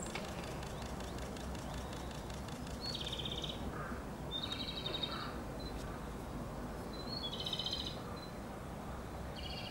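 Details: Japanese robin, one of Japan's three great songbirds, sings short high rattling trills at a moderate distance, each under a second and repeated every couple of seconds, half-buried in a broad outdoor hiss.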